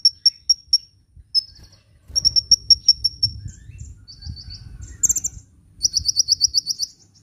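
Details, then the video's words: Sunbird singing briskly, used for luring birds and getting idle birds to sing: high chip series, then varied phrases including lower twittered notes and a fast trilled run at the end. "SUARA BURUNG KOLIBRI GACOR‼️ [bisa buat pikat & yg males bunyi"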